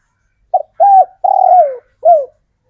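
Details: Local male spotted dove raised from the wild, calling to draw in females: one phrase of a brief note, a level coo, a long wavering coo sliding downward, and a short falling coo.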